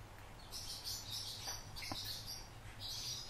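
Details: Pet fieldfare kept indoors; soft, high, hissy chattering notes in short bursts over about three seconds, with a steady low hum in the background.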